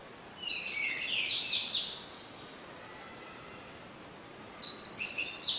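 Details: Double-collared seedeater (Sporophila caerulescens) singing in the cigano style, averaging 30 songs per minute: high thin steady notes opening into a rapid series of bright descending sweeps, with a second phrase beginning after a quiet pause.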